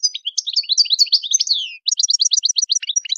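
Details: Wild-style European goldfinch song, chon khalawi: a fast, unbroken run of tinkling, slurred notes, then a rapid string of evenly spaced, clipped high notes.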